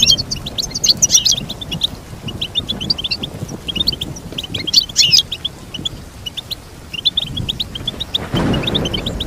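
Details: Goldfinch song of fast repeated chirps with two louder tangled twittering bursts, ending in a short rustling noise.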